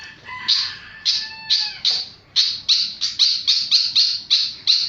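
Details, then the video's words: Flycatcher singing very actively: a few varied whistled phrases with lower tones, then a steady series of sharp, high descending notes, roughly three per second. "Burung sikatan sangat gacor"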